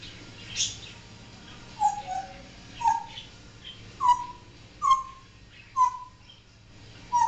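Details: Pet African grey parrot, a male, imitating barking at home: short yelping notes that bend downward, repeated roughly once a second, with a person's voice faintly present.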